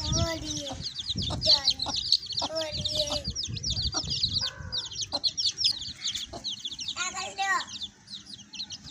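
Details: Baby chicks and their hen: a busy chorus of shrill, rapid peeps overlaid by the hen's lower, throaty clucks and harsher notes at intervals, especially near the start and around seven seconds.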